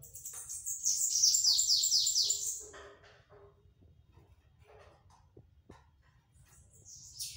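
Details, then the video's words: Bananaquit (sibite) delivering pitiú-style song beats: one loud, fast series of high, sharp, downward-slurred notes lasting about two and a half seconds, then near silence with scattered soft ticks and a brief high note at the end. "sibite do meu amigo Kaká olha as batidas de pitiú"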